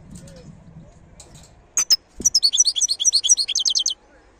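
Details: A wild European goldfinch sings after a few sharp call notes: a fast run of high, buzzy, tinkling twitters ending in a short, even trill, over quiet low background noise.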